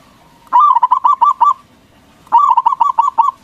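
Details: Loud local zebra dove singing to stir rivals into replying: two bubbly, rolling phrases of six to seven rapid cooing notes each, separated by about a second of silence.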